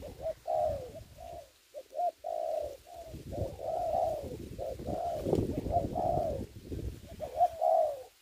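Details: Spotted dove decoy at a ground trap during the COVID-19 season. Repeated mellow coos, short ones alternating with longer arched notes, carry clearly through the recording with light background rumble.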